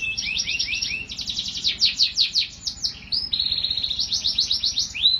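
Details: Canary singing varied tours: looping high notes, a burst of fast sharp downstrokes, then steady rolling trills, over a low mechanical hum.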